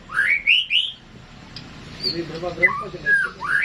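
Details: White-rumped shama in classic singing, rich upslurred whistles opening and closing the phrase, with softer low warbled notes in between.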